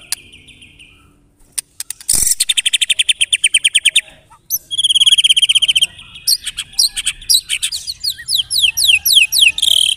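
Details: White-rumped shama song used as a pancingan lure for murai batu: a quiet start, then a loud, rapid, evenly repeated trill, then a brief pause before buzzy rattles and a run of slurred rising whistles.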